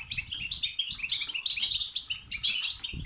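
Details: Short run of goldfinch batbata and satsata twittering for stimulating song in a goldfinch: busy, jangling high chirps and bright whistled notes, with light fluttering low sounds underneath.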